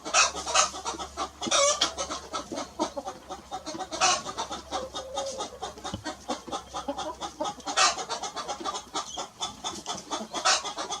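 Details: Little red rooster and hen grazing on a lawn: a steady stream of rapid clucking and pecking-like ticks, with louder sharp clucks roughly every two to four seconds and a faint low hum.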